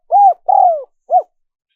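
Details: Single cooing phrase of a spotted dove, played to attract wild doves. A rounded coo, then a longer coo that slides downward, then a short rounded coo, all low and smooth against silence.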